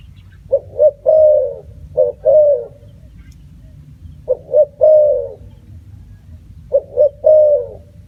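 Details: Spotted dove repeating its coo phrase three times, each two or three short notes ending in a longer drawn-out coo, with pauses of about two seconds between phrases.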